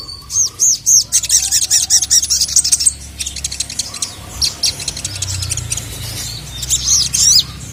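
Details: Sogon answering angrily to a calling female. Fast, high-pitched chirps and trills repeat in quick runs, some notes arched and ringing, steady throughout with a faint low hum beneath.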